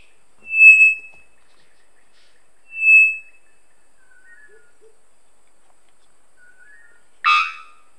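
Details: Three-wattled bellbird near Monteverde, Costa Rica, calling from perch to perch: two pure, ringing whistles about two seconds apart, then a few faint notes and a sudden harsh, explosive bonk; these birds call loudly all day.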